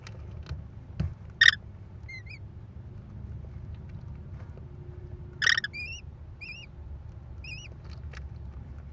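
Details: Wisconsin American kestrel nest, May 13, 2021: mother comes with prey and feeds four chicks, nest camera audio; two loud harsh screeches four seconds apart, each followed by a series of thin, wavering, arched chirps, low hum underneath.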